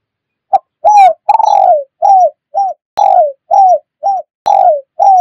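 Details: Spotted dove cooing, a lure sound for catching wild doves: steady, loud run of about a dozen hollow arched coos. Longer drawn-out falling notes recur every couple of seconds.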